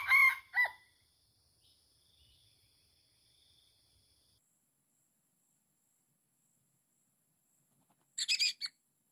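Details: Wild red junglefowl lured by a trapper at a forest spot locals call haunted, where many of the birds live; two short, harsh, rasping crowing bursts open, then near silence, then another loud rasping burst near the end.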